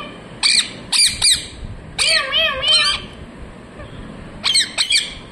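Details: Parrot chirping: clusters of loud harsh squawks, a longer wavering nasal call in the middle with rippling tones, and a final pair of sharp notes, recorded close with little background.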